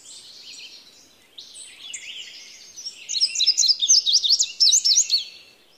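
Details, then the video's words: Blue-grey tanager singing: thin, high squeaky twitters that build into a fast, sharp, buzzy series of chirps toward the end. "Azulejo comun Canto"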